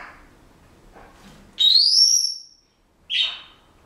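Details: Senegal parrot kept as a household pet, practising a song it is learning: a long bright whistle gliding upward, a brief pause, then a short rough squawk-like note.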